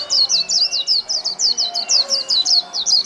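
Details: Caged white-eye, wild-caught and kept over a month, singing in the líu style: a fast run of high, sharp, down-slurred chirps, about five per second, steady and unbroken for three seconds.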